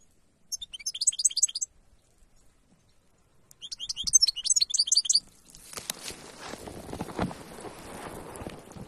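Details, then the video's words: In the wild, a goldfinch delivers two separate bursts of rapid, twittering high-pitched notes, the second longer, before loud rustling and handling noise takes over. "تغريدة الحسون في البرية"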